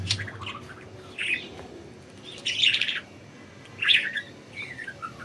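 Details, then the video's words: Several budgies enjoying freedom in flight chirp in separate scratchy bursts about a second apart, each a buzzy warble, ending with a trail of small falling tweets. "Budgies Enjoying Freedom and Chirping"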